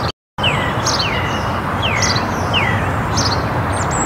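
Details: Song thrush in woodland in Perthshire, Scotland: clear whistled phrases, each a falling slurred note repeated about every half second, over steady low rumbling background noise.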